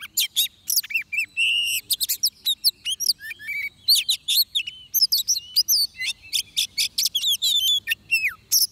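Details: Oriental magpie-robin song during trapping: nearly continuous, varied whistling mixed with buzzy trills, harsh clicks and upward-sweeping notes, repeated in brisk bursts throughout.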